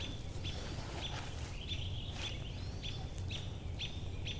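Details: An American robin, calling angrily during an owl search in the forest, repeats sharp, high alarm notes about every half second, seemingly to attract other robins and birds to mob, over a steady low forest rumble.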